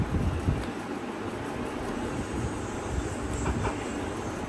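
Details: Steady low rumbling noise, like a passing train or wind on the microphone, with no animal sound.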